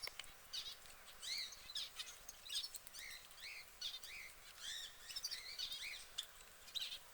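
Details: A caged yellow canary sings a fast, varied run of high chirps and arched, slurred notes, several each second, over a faint steady electrical hum.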